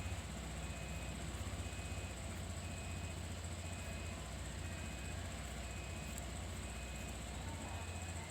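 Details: A steady, loud engine rumble with constant low hum and a faint high whine runs throughout, with no animal calls heard.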